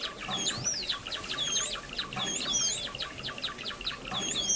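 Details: Lure recording of Java sparrows for trapping, birds seen in rice fields and farmland: high arching whistles about once a second over quick clicking chips.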